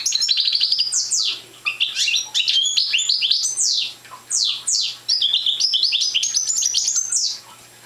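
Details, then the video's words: Immature parva goldfinch practising its song: a quick run of liquid chirps and sweeping downslurs gives way to broken twittering phrases and a final high trill, over a soft background hum. "Young Parva Goldfinch singing"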